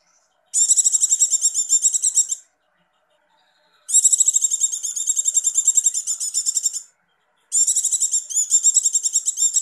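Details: Breeding-condition female Javan white-eye giving the 'ngecir' trill used as bait for males; three bursts of fast, high-pitched buzzy pulses, the middle one longest at about three seconds.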